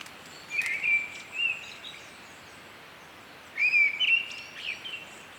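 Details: Whistled song of a Mistle Thrush, two short phrases of several warbling notes separated by a pause of roughly two seconds, with low outdoor hiss behind.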